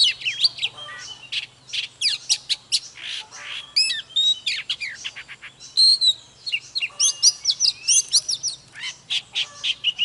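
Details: Oriental magpie-robin singing and dancing gives a busy run of quick chirps and buzzy notes broken by clear whistled slurs. A faint low hum runs underneath at first.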